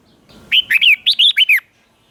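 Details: Red-whiskered bulbul lure bird singing to draw wild birds in to a singing contest; one bright phrase of about seven quick slurred whistled notes within a second, rising and falling, then quiet.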